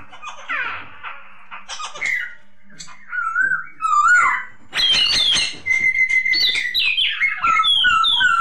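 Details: Masked laughingthrush (poksay hongkong) song used to draw silent kept birds into singing: scratchy notes and slurred whistles, building into a busy, continuous stretch of high, zigzagging whistled phrases.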